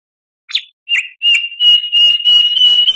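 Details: Oriental magpie-robin song recorded to tutor other songbirds: two short separate chirps, then a long level whistle held under faint rapid flutter, steady in pitch to the end.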